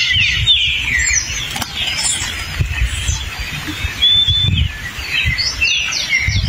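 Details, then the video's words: Hepatic tanager singing in the forest: clear whistled, slurred phrases, with higher chips and steady low rumbling noise beneath. "O belíssimo sanhaço fogo e seu canto na mata!"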